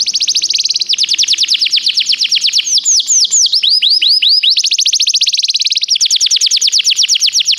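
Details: Canary song recorded for training canaries: continuous rapid high trills broken midway by a run of falling slurred whistles, then more fast repeated notes, loud and steady throughout.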